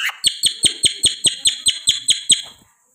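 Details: A pet parrot gives about ten sharp, high chirps in a fast, even series, each roughly a fifth of a second apart, before the sequence fades and stops.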